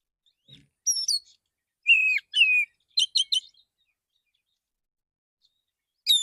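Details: Male Oriental magpie-robin in the morning, singing relaxed to call other magpie-robins: high clear whistled notes, some sliding downward, then bursts of quick stacked chirps in short phrases separated by pauses.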